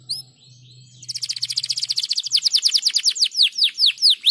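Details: Canary song meant to stimulate other canaries to sing: after a faint low hum and a few thin notes, a rapid high trill begins, gradually slowing into distinct falling chirps.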